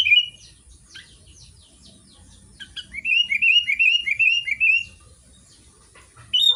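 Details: Kutilang, the Sooty-headed bulbul, singing actively in Garuda style: quiet scattered chirps at first, then a loud two-second chain of quick, even, down-slurred notes, ending with a sharp chirp.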